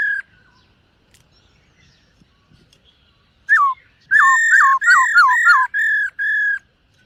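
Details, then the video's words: Dancing black-throated laughingthrush training its voice in the morning: after a quiet start, a burst of quick downward-hooked whistles in rapid succession, closing with two held level notes. "Khướu BẠC MÁ hót MÚA luyện giọng . Khướu hót sáng luyện giọng kích bổi"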